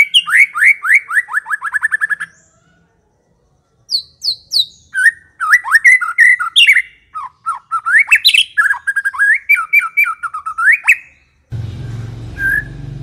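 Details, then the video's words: White-rumped shama song meant to lure other shamas into replying: a rapid series of repeated descending chirps, a pause, then long varied whistled and chattering phrases, ending in a burst of broadband noise with one faint note. "80% COCOK untuk memikat murai batu AGAR LANGSUNG NYAUT dan GACOR"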